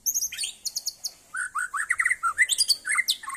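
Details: White-rumped shama singing in a competition: varied whistled phrases, sharp high notes alternating with rapid liquid mid-pitched trills and slurred rising and falling notes, delivered in quick bursts.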